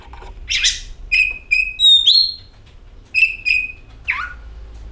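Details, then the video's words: Oriental magpie-robin singing, played as a lure to get the bird singing: buzzy opening, then clear steady whistles and a rising note, a pause, more flat whistles and a falling slur. "KACER AUTO GACOR, Suara Burung Penyejuk Hari, Pancingan Kacer"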